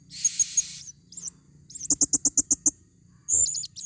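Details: A female blue-crowned hanging parrot calling as a lure in the forest: three thin high notes, then a quick series of about eight sharp chips, and a rasping burst at the end.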